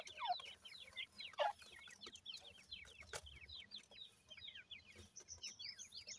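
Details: Grey francolin chicks, both male and female, kept for breeding, giving many rapid, high, downslurred peeps that overlap in a busy chorus, with a few louder lower chirps near the start.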